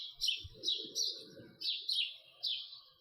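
A house sparrow gives bright, rough chirps about twice a second, some doubled. A faint low murmur sits underneath.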